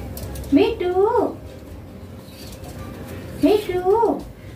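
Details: A green rose-ringed parakeet kept as a pet speaks Hindi to its owner. Two bright, harmonic, speech-like phrases with a rising-falling glide come about three seconds apart in a quiet room.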